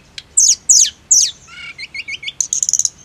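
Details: Snowy-browed flycatcher song for therapy: three loud sharp downslurred notes, a soft string of short whistles, then a fast high twittering trill.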